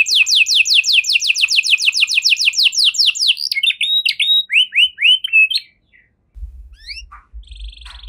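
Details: Canary delivering cengkok mewah (luxurious phrasing) song: a long rapid roll of falling whistled notes, then slower varied chirps and slurred phrases, a pause, and scattered notes over low rumbling handling noise.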